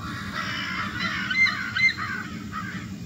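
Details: A crow, one of a flock harassing a new male, gives loud, harsh caws in quick succession, about two per second with an uneven rhythm, over low background rumble on an August evening.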